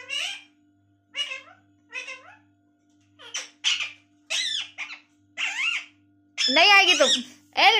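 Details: Pet talking parrot indoors that says mummy all day: short squeaky imitated syllables about once a second, then louder wavering screechy calls near the end, with a steady faint hum behind.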